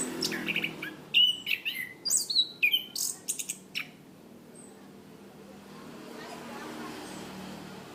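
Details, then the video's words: Cage-kept Orange-banded thrush (Zoothera interpres) on a training recording, delivering a rapid run of about ten sharp, high whistled and chattering notes in the first four seconds, then near silence with a low hum. "Masteran Anis Kembang | Punglor Gacor Ngeplong Mantap"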